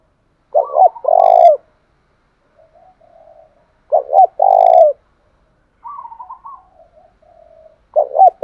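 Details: Spotted dove singing in the thổ pha style, used to provoke a captive bird into singing: low coo phrases of two short hoots and a long, steady coo, repeated about every three and a half seconds, with faint softer warbling coos between them.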